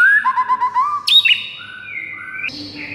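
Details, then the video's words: White-rumped shama in the morning, training recording for birds: a quick set of rippling low whistles, a sharp high note, then longer steady whistled tones stepping in pitch. "PAGI HARI , 98% Murai bakal ikutan GACOR plus NARUNG seketika dengar MASTERAN ini"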